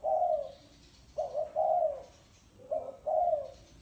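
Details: Spotted dove cooing thổ sấm style: a long low coo, then two phrases each of a short note followed by a drawn-out throaty coo, about every one and a half seconds.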